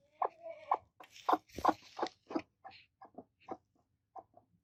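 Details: Broody hens, two of them, angry and attacking. A drawn-out whine comes first, then dense rough clucks with noisy scratchy bursts, thinning to softer, spaced clucks.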